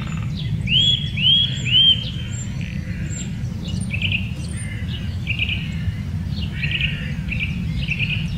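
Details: Eurasian nuthatch in the Wittlicher Senke giving three loud, ringing upslurred whistles in quick succession, each about half a second apart, followed by softer chirping notes from nearby birds over a steady low background rumble.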